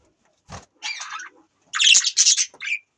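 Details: Budgie sounds: a click, a buzzy grating note, then two loud harsh chattering bursts and a short rising chirp.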